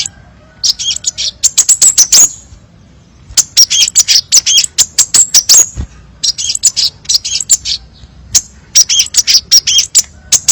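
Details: Crimson sunbird tutor song with many variations: dense, rapid runs of piercing high chirps and trills in long bursts, separated by short gaps.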